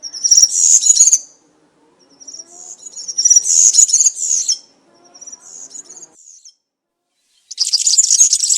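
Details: Woodland European serin giving cante campero song in short bursts: high, glittering, rapid jingles separated by silences, with softer linking twitters between the louder phrases.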